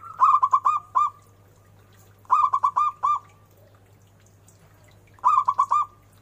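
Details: Local Zebra dove in full song with a big, lilting voice, giving three mellow, rolling cooing phrases of about five quick notes each, repeated every two to three seconds, over a faint low hum.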